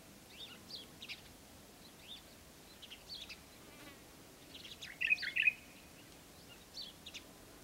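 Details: Green bee-eater at Wadi Bih, UAE, on 5 February 2013: short, high, trilled chirps in scattered bursts across a quiet background, with a louder double call near the end.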